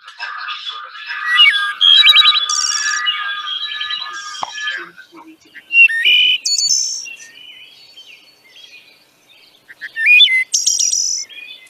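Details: Wood Thrush singing three flute-like phrases a few seconds apart, each ending in a high, shimmering trill of overlapping tones; it can sing two notes at once, harmonizing with itself.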